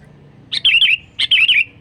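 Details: Sooty-headed bulbul call used to lure wild birds, two bright bubbling phrases about half a second apart, each a rapid run of three or four liquid whistled notes over a soft low background hum.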